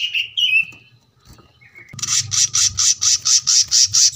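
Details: Caged brown-throated sunbird: a few thin sliding whistles, a brief quiet gap, then loud pulsed high notes repeated about twice a second over a low background rumble.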